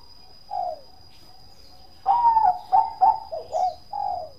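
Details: Zebra dove of the Bangkok type in 'kong' voice: one soft coo, a long gap, then a rich run of fast, rolling, bubbling coos with a final drawn-out note; faint constant high-pitched hum behind.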